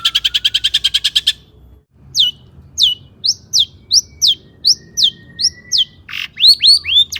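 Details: Long-tailed shrike song packed with mimicked phrases, meant to goad other shrikes into singing: a fast buzzy trill, a short pause, then evenly spaced sharp downslurred whistles, closing with looping high notes.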